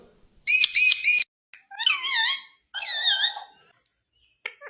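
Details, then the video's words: Talking Indian ringneck parakeet gives a loud, sharp, high-pitched triple note, then two wavering, warbled speech-like phrases that slide up and down, and a faint click near the end. "talking parrot"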